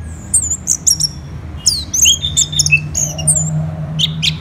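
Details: Orange-headed thrush in full, lively song: quick high whistled notes and sharp chirps, with rising and falling slurs around the middle and a low steady hum underneath.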